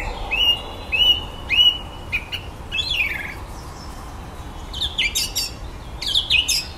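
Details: Common blackbird in a garden at evening, singing electronic-noise imitations: a series of short rising whistled notes repeated about once a second, then higher squeaky twittering phrases, with faint background hiss.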